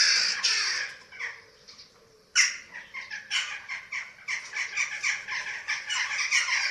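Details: Eurasian eagle-owl nest in Germany, webcam footage from 27 March 2024 during feeding: a long hoarse rasp fades into near quiet, then a sharp onset of rapid, repeated scratchy hissing bursts building steadily.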